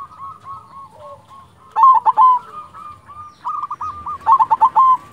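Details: Eager silver zebra dove of local stock repeats its phrase: soft hooked coos building to loud rattling stuttered bursts, twice in succession, with a low murmur of other cooing beneath.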